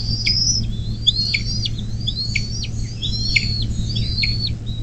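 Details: Bald eagle at its nest by the Little Miami National Wild and Scenic River, near South Lebanon, Ohio, USA, 24 May 2024, 10:12. A string of thin piping whistles, each ending in a sharp downward flick, over a steady low hum.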